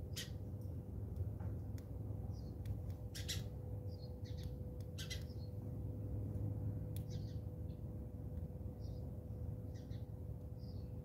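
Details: Fighting house sparrows in South Africa give rapid bursts of harsh chirps and squawks, bunched in the first few seconds, then sparser and fainter, over a constant low rumbling background.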